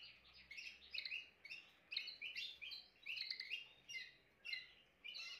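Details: Timbrado canary delivering short clusters of quick, bright, trilled notes separated by brief pauses, over a noticeable low background hum.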